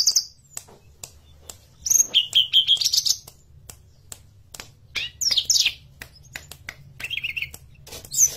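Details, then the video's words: Forktail from the mountains, its song played as training material for caged birds: high slurred whistles and buzzy chattering phrases in bursts separated by pauses, with steady clicking ticks. "PANCINGAN MASTERAN TLEDEKAN GUNUNG GACOR"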